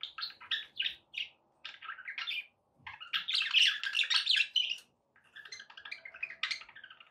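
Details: Pet budgerigars singing indoors to encourage a parrot to eat and sing: rapid run of scratchy chirps about four per second, swelling into a dense, buzzy warble mid-way, then softer chattering notes.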